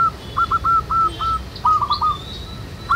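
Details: Several local zebra doves singing in the wild, a chorus used to prompt other doves to sing: clear rolling coos in quick repeated phrases, answered by further trilled phrases, with faint distant chirps.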